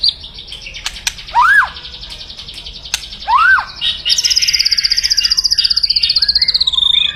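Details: Aggressive white-rumped shama kretekan, a loud song for firing up rivals: two arched whistles rising and falling, sharp clicks, then a long rapid high-pitched trill lasting about three seconds.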